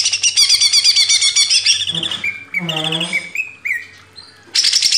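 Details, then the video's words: Greater green leafbird in a master recording for training cage birds: a dense, rapid chatter of high buzzy notes, then a pause with a lower harmonic sound, a few clear whistles, and a final burst of chatter. "MASTERAN CUCAK IJO // LANGSUNG GACOR"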